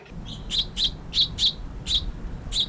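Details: A House finch fledgling from a nest in a hanging planter on an Emeryville apartment deck gives thin, high chirps, about seven in under three seconds, asking to be fed, over a low background rumble.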